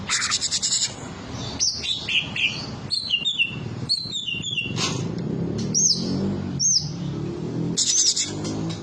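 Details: Olive-winged bulbul in song: bright whistled phrases and rapid chirping notes, some slurred upward, delivered in fast bursts over low background hum.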